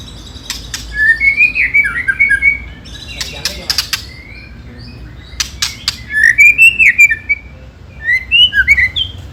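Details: White-rumped shama song with ketrekan clicking, used as a lure to provoke rival birds: slurred whistled phrases around the middle range interleaved with bursts of sharp dry clicks, phrases recurring in clusters.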